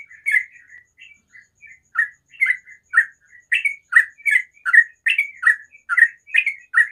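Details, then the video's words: Sooty-headed bulbul singing in the morning: a lively run of short bubbly notes around mid pitch, several per second, with brief pauses between bursts and a faint steady hum in the background. "TRUCUKAN ROPEL SUARA ALAM PAGI HARI"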